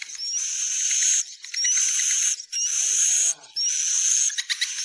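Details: Lure sound of swiftlets, played over and over to draw the birds to stay in a nesting building: long bursts of high, rasping chatter about a second each, with a faint rising whistle at each start and short gaps between them.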